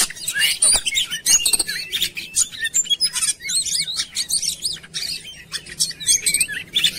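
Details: Oriental magpie-robin lure recording for quick singing. Begins with scratchy, noisy bursts, then settles into repeated curling whistles and chips delivered at a brisk, uneven pace.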